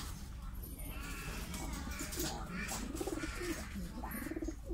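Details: Domestic Mukhi fancy pigeons give short, wavering low coos that bend up and down and grow more frequent toward the end, over a noisy, rumbling background.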